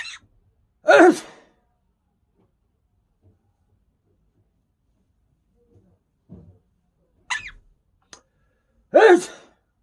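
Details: Quaker parrot imitating a sneeze: two short, explosive, noisy bursts about eight seconds apart, with a few softer brief sounds in between in a quiet indoor setting.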